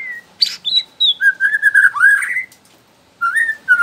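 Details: Young wild Borneo white-rumped shama whose song prompts other shamas to sing, producing a sharp note, then a sequence of smooth, looping whistled phrases, a pause, and two more whistles.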